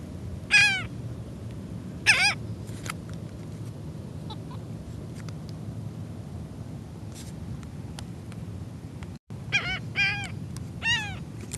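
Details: Seagulls being fed in a Florida back yard, one screaming at the people and other birds: loud harsh squealing calls in short bursts, with rhythmic stacked notes, separated by quiet stretches over steady low background hum.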